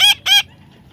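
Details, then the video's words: Two loud, short, harsh squawks from a baby parrot being tamed, close together in under half a second, then quiet. "natural funny parrot sound"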